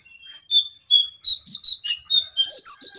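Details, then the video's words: Caged jongkangan perched on top of its cage, singing energetically: a lively run of high, thin whistles and quick chirps, short notes sliding up and down, more rapid and busier toward the end, with no other clear sounds. "Jongkangan Gacor Di atas Sangkar"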